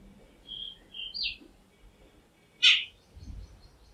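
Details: Jungle babbler giving one loud, harsh, scratchy note, preceded by three short, thin whistled notes and followed by faint high ticking, over quiet background noise.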